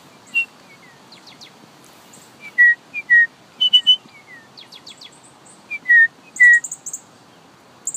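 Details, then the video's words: Finch calling. Short, clear, down-slurred whistled chirps repeat irregularly, often in pairs, mixed with very high thin ticking notes and a few quick buzzy trills over faint background hiss. "Finch or Cardinal Call"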